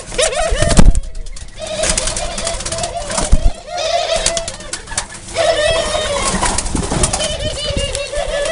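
A dove gives low, soft, hollow coos, several drawn-out phrases in a row over a noisy background with some thumps and faint voices.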